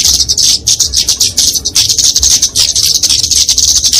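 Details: Fighting song of the kemade, a Dicaeum flowerpecker, used to train and lure songbirds: continuous very high buzzy chatter with fast ticking notes, barely pausing.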